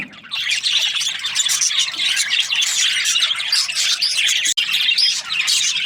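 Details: Breeding pairs of budgerigars chirping together, a dense, unbroken wash of high twittering and warbling that starts after a brief quiet opening and carries on throughout, with a short dropout near the end.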